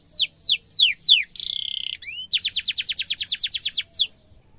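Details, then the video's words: Canary song meant for tutoring young canaries, sharp and rolling: a few slow downward-swept whistles, then a buzzy, steady harsh note, then a rapid run of repeated chirps ending in a single falling whistle. "kenari gacor cuit cuit ngerol tajam suara kesukaan semua kenari efektif buat masteran kenari muda"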